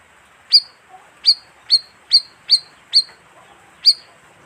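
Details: Bayeman lure call used to attract wild birds: seven sharp, high chirps, each a quick downward-sweeping note ending in a short bright whistle, given at uneven half-second gaps over a quiet background.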